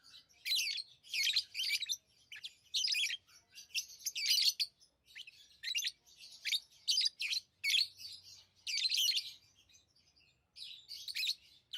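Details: Tame lovebirds chatter steadily, with dense runs of shrill, buzzy chirps following one another almost without pause, over a faint low background hum.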